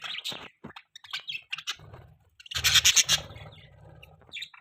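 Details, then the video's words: Budgerigar mating call: bursts of bright, scratchy chirps and short warbles, with a denser chattering passage midway and low rumbling noise underneath. "Budgie Mating Call"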